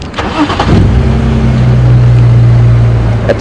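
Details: Vehicle engine cranks and starts, then settles into a steady low idling hum, with no animal calls.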